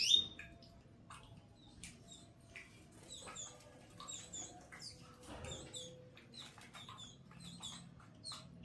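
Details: Canary in a small aviary while feeding its chicks: thin, high chirps and short tweets come in quick scattered bursts throughout, soft against a low background hum.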